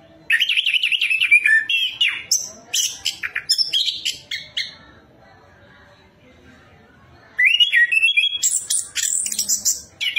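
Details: Orange-headed thrush song used as a lure to prompt another bird to sing: rapid, varied phrases of clear whistles and sharp high notes in two long bursts, separated by a short quiet gap.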